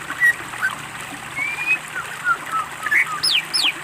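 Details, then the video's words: Greater green leafbird song from a training master recording, spaced sweet whistles, some long and level, others sliding steeply up or down, with a few high thin notes near the end. "masteran cucak ijo gacor"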